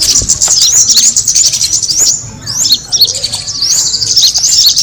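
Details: Kemade bird sound for luring birds: thin, high chirps and upslurred twitters in fast runs, a short gap, then further bright notes.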